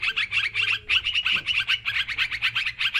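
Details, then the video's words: Sooty-headed bulbul, noisy lure calls: clear bursts of bright, squeaky chirps repeated about every quarter second, rhythmic and lively, with more birds chattering behind. "Suara Mikat Trucukan Ribut"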